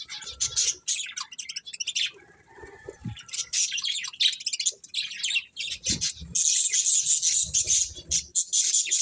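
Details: Budgerigars keep up a busy, fast chatter of clicky chirps, ending in a sustained, hissy, high warble.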